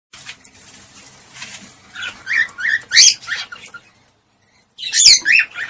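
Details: Cockatiel mating sound used to stimulate mating: soft background noise for two seconds, then bursts of bright chirps and rising whistled squawks, a gap of near silence, then another loud cluster of shrill chirps.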